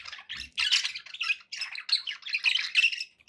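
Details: Loud scratchy budgie chatter from pet birds, rapid rasping squawks and warbles packed closely together, with a soft low bump early on.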